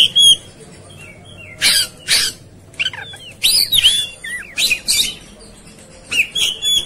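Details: Oriental magpie-robin, agitated and ready to fight, mixes harsh scratchy blasts with twisting whistled notes and short chirps, in several bursts over about seven seconds.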